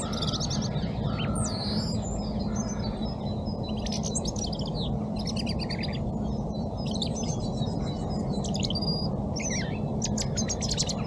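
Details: European robin in song at Crane Park near the Shot Tower on a frosty cold morning, Insta360 X3 recording: bursts of high, tinkling and scratchy phrases, each varied, separated by brief gaps, against constant low hum of background noise.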